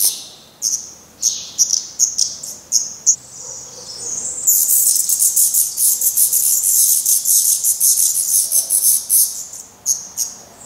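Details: Black Redstart nestlings in Portugal, downy on the head and trying first flights while parents keep feeding them; separate sharp high calls at first, then a sudden rise into continuous, excited hissing chatter that eases back to spaced calls.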